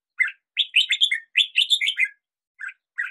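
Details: A red-whiskered bulbul in the hills sings bright, bubbly phrases of rich warbled notes, two quick bursts then a couple of short chirps, against a quiet background.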